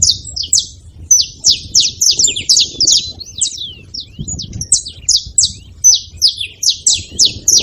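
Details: Several free wild saffron finches at a seed feeder making noise, a dense stream of sharp, high, down-slurred chirps that overlap and tumble on without pause, over a soft low background hum.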